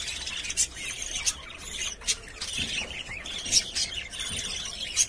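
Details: Pet budgerigars inside a cage giving scattered sharp, high chirps and brief squeaky notes at irregular intervals, roughly every second or so, over quieter background twittering.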